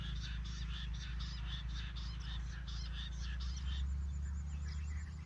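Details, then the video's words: Jungle bush quail calls used as a lure to trap wild quail: rapid bursts of short, scratchy chirps repeated several times a second, over a steady low mechanical hum. "Jungli bush batair awaz se jungle batair ko pakadna"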